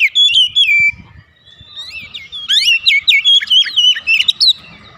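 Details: Oriental magpie-robin kept in a house, song played to coax other birds to sing: bright whistled notes sliding down, then a rapid run of chirpy, warbled phrases after a short pause.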